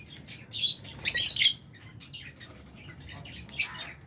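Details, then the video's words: Lovebirds, albino and Fisher's, feeding in an aviary shared with budgie parrots; harsh squawky chirps in a cluster, a pause of soft chatter, then one more sharp chirp. "Lovebirds Chirping Sounds"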